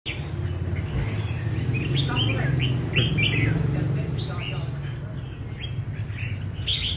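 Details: Red-whiskered bulbul showing its fighting style in a contest: bright, warbled phrases of short rising and falling whistled notes, repeated quickly, with other bulbuls calling alongside and a steady low rumble of background noise.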